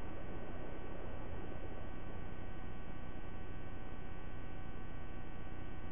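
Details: Constant electrical hum and muffled rumble fill the recording throughout, with no animal sound.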